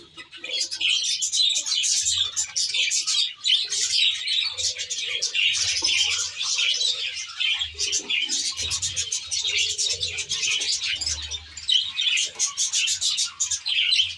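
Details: Budgerigars kept in a nature-style aviary: a dense, continuous chorus of high chirps, warbles and chattering from many birds, with faint low thumps underneath.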